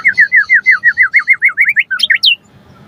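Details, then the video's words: White-rumped shama in energetic song, used to lure other shamas into answering: a quick steady series of about a dozen similar whistled notes, then a few higher twisting whistles to close. "Pancingan Murai Batu Langsung Nyaut Auto Bunyi Cpt Gacor Full Isian Buat Masteran Suara Burung Murai"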